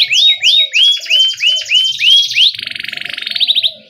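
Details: Canary gacor ngerol song as a training master for young birds: about seven loud upswept cuit notes roughly every third of a second, then a fast rattling roll, soft lower chirps behind.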